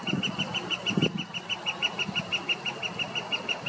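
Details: Northern flicker song: a long, even series of loud, clipped notes repeated about six times a second without slowing, with low rumbling thumps and knocks underneath.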